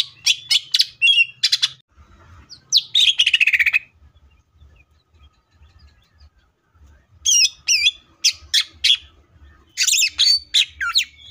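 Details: Cucak ijo, greater green leafbird, in tembakan-style song: groups of fast sharp chirps, a buzzy falling trill, a long silence, then more bursts of twisting whistled notes.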